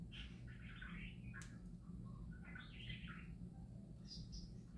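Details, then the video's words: Parakeets singing happily, giving two bursts of chattering, warbled notes in quick succession, then a pair of high squeaks near the end, against a constant low hum indoors. "Parakeets Singing Happy Parakeets Parakeet Sounds"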